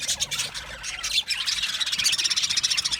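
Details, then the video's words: Budgies in an aviary colony chattering steadily: fast, high, squeaky chirps and twitters from many birds, with a clearer thin whistled note near the end. "Budgies Chirping sounds"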